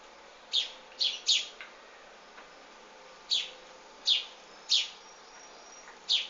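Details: During feeding by their mother, wild baby birds give quick, high-pitched chirps, some in close pairs or triplets, separated by gaps of up to two seconds, against a steady background hiss.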